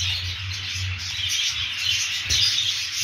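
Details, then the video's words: Budgerigars keep up an unbroken high-pitched twittering, with scattered thin whistled notes standing out against a steady low background hum. "periquitos australianos"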